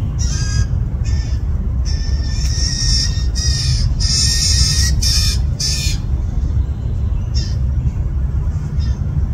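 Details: Young fledgling blue jays, at least two, in a yard, hungry and upset that parents feed them less: a fast run of loud, raspy, grating squawks packed together for six seconds, then sparser calls, over a low rumble.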